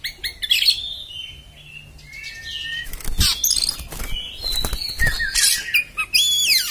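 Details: Oriental magpie-robin delivering a harsh, rough song: high whistled notes and sliding phrases mixed with loud scratchy bursts, with fast chattering runs toward the end.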